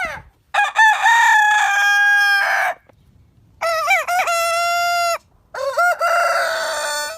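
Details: Roosters crowing three times in succession, each crow opening with choppy stuttered notes and settling into a loud, long, steady tone, separated by short quiet gaps.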